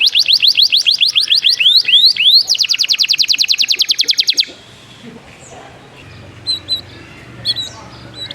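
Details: Canary delivering a fast rhythmic trill of sweeping notes that shifts into a buzzier rapid rattle, then stops, leaving quiet with a few faint distant chirps.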